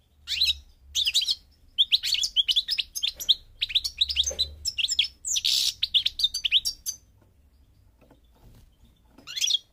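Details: Goldfinch song from Morocco, North Africa: rapid sequences of sharp chirps and tinkling twitters over about seven seconds, a quiet stretch, then one last brief phrase; low hum in the background.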